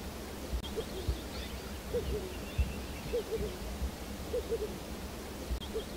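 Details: A Yellow-eyed Pigeon (Columba eversmanni, Vulnerable) gives soft, low hooting coos in short pairs or triplets every second or so. A steady low rumble and faint distant bird chirps run beneath.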